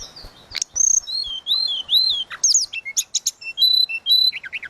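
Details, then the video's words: Flute-like song of a tledekan laut, recorded to train other songbirds: a steady high whistle, wavering mid-pitched slurs, then quick rising and falling notes and short trills. "Burung tledekan laut suling gacor"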